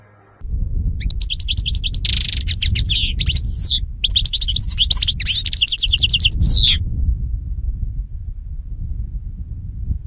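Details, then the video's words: European goldfinch song for training goldfinches to sing: rapid high twittering and buzzy rattles for about six seconds, partly masked by loud, steady low rumbling noise that continues after the bird stops. "صوت الحسون"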